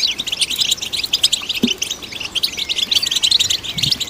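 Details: European goldfinch singing, played to stimulate goldfinches: a dense, rapid twitter of short high chirps and trills, with a few thin sliding whistles running continuously throughout.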